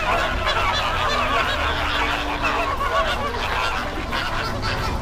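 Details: A flock of greater flamingos on a backwater at Bagalkot keeps up a dense, goose-like honking and gabbling, many nasal calls overlapping without pause, over a low background rumble.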